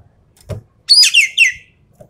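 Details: Javan pied starling 'tembakan' phrase, the shooting style used to test champion birds: one loud burst of three harsh, grating descending notes follows a short dull knock.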